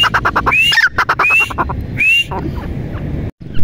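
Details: Grey francolin, or teetar, calling with rising whistled notes mixed into a fast rattle of harsh clicking syllables. The phrases repeat, with an abrupt brief cutout near the end.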